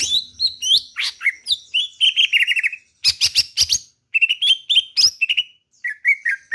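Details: Kalimantan greater green leafbird in full song: fast, varied whistles mixed with harsh buzzy bursts and chattering trills, with short pauses between loud phrases.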